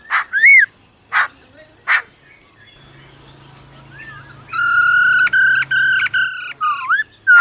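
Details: Laughingthrush hen uttering "ro ro" to rouse a male: a rising-falling whistled note and three harsh noisy bursts, a quiet stretch with soft curls, then a long bright whistled phrase chopped into quick stutters, ending in swooping whistles.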